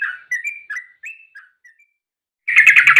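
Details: Yellow-vented bulbul in an agitated fighting mood, its song meant to lure other bulbuls into singing: scattered clear whistled notes, some rising and some falling, then a loud, dense burst of rapid chattering notes at the end.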